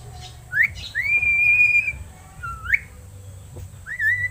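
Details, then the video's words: Seven-month-old crested myna raised in captivity: a long level whistle of more than a second, then a dipping upslurred note and a final rising wavering whistle. "MARTINEZ BIRD TALKING!"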